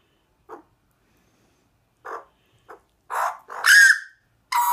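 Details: Two grown young magpies from a family of four fed in a backyard for a year, visiting and chattering; short scattered harsh bursts, then louder, ringing, harmonic calls packed close together near the end.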